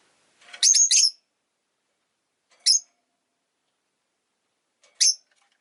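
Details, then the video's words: Chirping Rosy-faced lovebird: a quick burst of three harsh, high chirps, then two single shrill chirps spaced about two seconds apart, with silence between. "Lovebird Chirping Sounds"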